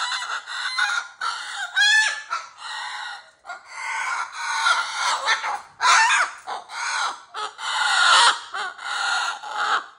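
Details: Pet cockatoo giving its playful 'roar': a run of harsh, raspy screeches in short bursts, some ragged and some with a rising, squeaky edge, repeated almost without pause over ten seconds, indoors.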